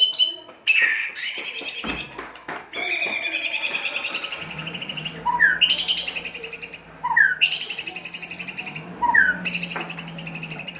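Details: White-rumped shama harsh 'kasar' song for stimulating other birds: long high buzzy trills and sweeping notes, with short rising whistles repeated every two seconds, over a constant low drone.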